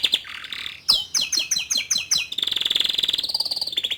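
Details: Young male Atlantic canary performing song to encourage a juvenile to sing; a buzzy note, a run of sharp falling chirps, then an extended fast rattling trill at steady pitch.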